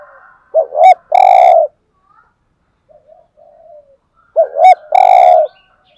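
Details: Spotted dove cooing in the Vietnamese 'hạp bổi' voice, played to rouse caged males: two short looping notes, then a long, level, purring coo. The phrase repeats after about three seconds of quiet.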